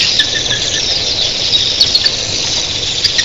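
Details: A seething mass of red-billed queleas at early morning makes a shrill, rushing chatter, dotted with brief whistled pips and a few sharp squeaks.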